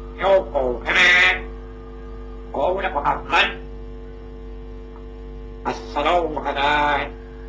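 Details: Parrot said to speak Farsi and Arabic: three bursts of raspy, speech-like syllables separated by pauses, with a steady low tonal hum underneath throughout.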